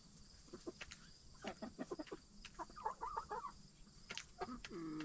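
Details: Backyard hens in their coop at night, settling in the last half hour before roosting. A run of low, soft clucks builds into a quick burst, ending in a longer drawn-out note. Steady high cricket chirring fills the background.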